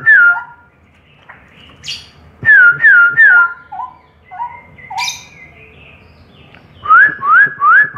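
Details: Straw-headed bulbul delivering bursts of rich, downslurred whistles in groups of three, broken by short pauses, softer warbled notes and occasional sharp high chips, ending with three quick upslurred whistles.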